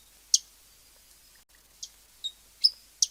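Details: A lone high chip from a hummingbird, then after a pause a quick cluster of four more sharp chips, one ending in a thin whistle; quiet surroundings.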